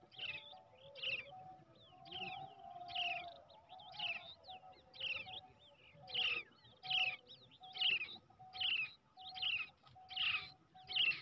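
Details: Brown shrike chick hand-reared from the egg, calling in a steady series of rasping chirps, about one every second, that grow louder toward the end, with a soft steady tone behind.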